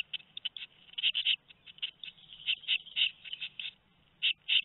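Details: Two-week-old tit nestlings in a nest at Théding, France, recorded on 13 May 2019, giving rapid high hissy begging calls in irregular bursts, some louder clusters standing out, with a faint low hum beneath.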